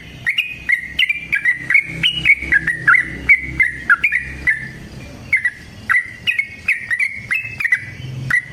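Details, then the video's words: Yellow-vented bulbul singing a long fighting song to coax other bulbuls into song; sustained rapid series of crisp whistled notes, about three per second, wavering up and down, with low background hum. "Suara Trucukan GACOR Tarung Ropel Panjang Pancingan TRUCUKAN Agar Bunyi Jadikan Burung TRUCUK Gacor"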